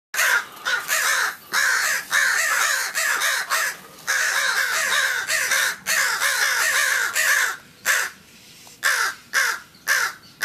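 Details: Crows in a back yard, an injured bird and its group of three others, calling agitatedly as a person nears the back door: harsh, loud caws in irregular bursts, some overlapping, with short pauses between runs.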